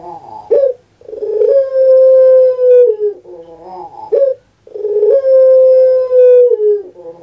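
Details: Caged puter pelung dove kept in Java, Indonesia: two phrases, each a short rough opening note followed by a long, steady, drawn-out coo that slides downward at the end, with a brief pause between phrases.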